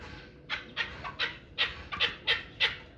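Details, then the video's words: Hybrid chukar partridge, a one-year-old young bird kept for fighting and hunting, gives a series of harsh, clipped chuck notes roughly every third of a second, each a broad burst, with faint background hiss. "Кабки Гибрид"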